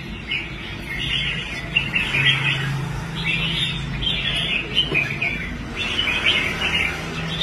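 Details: Red-whiskered bulbul kept in a cage after being bought and restored from quitting contests, performing on the rack with bursts of bright, chirpy warbles repeated about every second over a faint low drone.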